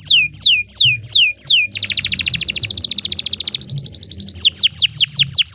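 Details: Canary song used as a master recording for training other birds, long and energetic: repeated descending whistled sweeps, then a fast buzzy trill, a rapid stuttering series, and more falling whistles, loud and continuous.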